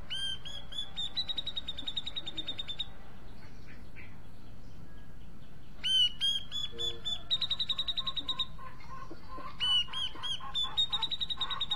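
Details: Grey-cheeked bulbul searching for a partner to sing with, delivering three separate bursts of fast, harsh, buzzy-edged repeated notes, each starting with a rising note, separated by quieter pauses with faint chatter.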